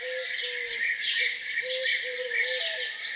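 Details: Birds giving morning songs around a farmhouse: a dense, steady wash of high twittering and chirping from several birds, over which low soft cooing notes repeat at uneven intervals.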